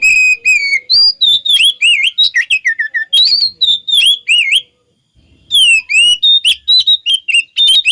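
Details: Magpie-robin lure song to make another bird answer: long slurred whistles, downward sweeps and quick chip series, breaking off for a short silence before resuming with bright rising phrases.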